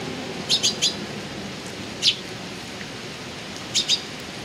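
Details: Eurasian tree sparrow recorded on 6 July 2018, giving short bright chirps in a quick triple burst, then a single chirp and a closing pair, over steady background hiss.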